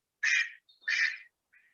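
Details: A male Mallard, with a female in the background, at the Davis wetlands on 6 March 2021 gives an alarm call, warning that somebody is in the way: two harsh, raspy quacks about half a second apart, then a faint, thin trailing note.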